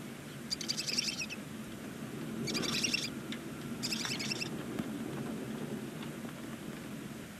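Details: Barn owl first chick on its first day in a nesting box on the side of a chimney in Ságvár, Hungary: three short hissy, raspy chittering bursts spaced over several seconds, over a steady low hum.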